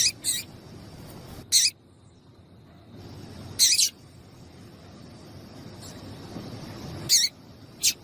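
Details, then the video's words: Female double-collared seedeater calling to get a male singing: a few isolated high, sharp chirps separated by two-second pauses, with a thin steady background whine. "Piado de Fêmea de Coleiro para Esquentar Coleiro"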